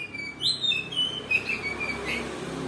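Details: White-rumped shama from Kalimantan singing a short phrase of clear whistled notes, sliding and warbling high, with a quiet steady background hum.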